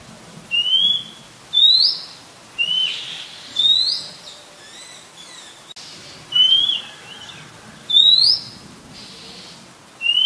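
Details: Oriental magpie-robin song, Ubon Ratchathani, Thailand, 18 April 2022, recorded with a Nikon P1000: sharp, upslurred whistles in brief bursts roughly every second, with fainter chips and a soft background hiss.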